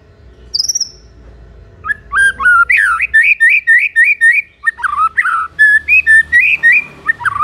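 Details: White-rumped shama in full song, meant to provoke other shamas into answering: a high thin note, then a rapid run of loud whistled and warbled phrases around mid pitch, repeated several times a second with varied clear notes.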